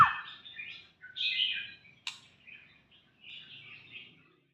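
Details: A young white-rumped shama gives a soft, varied warble: a short high note, a buzzy burst, a sharp click, then quieter scratchy twittering phrases with pauses between them.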